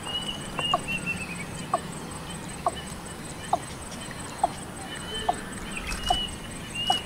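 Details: Female Watercock on the outskirts of Kolkata, West Bengal, India, in June 2017, giving short, sharp, clipped notes at a steady pace of about one per second, over a constant high insect hum and faint background noise.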